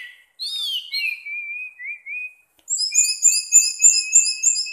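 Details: Orange-headed thrush kept as a pet, singing in 'teler' style: a warbled opening leads into a long wavering whistle, then a rapid, evenly repeated series of high, layered chirping notes.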